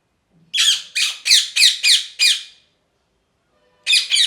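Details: Parrot giving a series of six harsh, buzzy squawks about every third of a second, a pause, then two more squawks close together; no other sounds.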